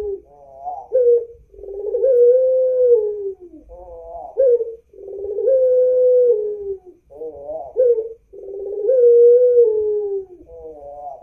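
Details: A white Ring-necked dove in Pandaan, East Java, Indonesia, gives a low, soft coo three times, about every three and a half seconds, each a short note or two followed by a long, drawn-out rolling coo.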